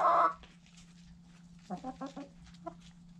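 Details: Nearby white Silkie rooster: a short, loud, harsh squawk opens, followed by a quick cluster of soft, throaty clucks and one final cluck, with a low steady hum behind.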